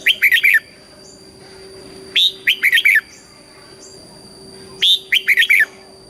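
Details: Red-whiskered bulbul, a Thai cage bird, delivering southern master-style song meant to excite and train other birds: three lively phrases of five or six bright, bubbling notes, spaced about every two and a half seconds over a steady background hum.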